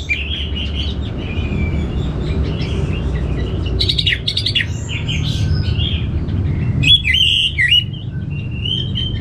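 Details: Caged Orange-headed thrush in North Bali, Indonesia, giving soft scattered whistles, then two bursts of loud, scratchy, rapid notes mixed with sweet slurred whistles, against a persistent low hum.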